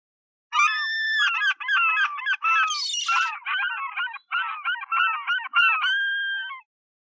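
A gull gives a run of harsh, nasal, laughing calls, each quickly repeated.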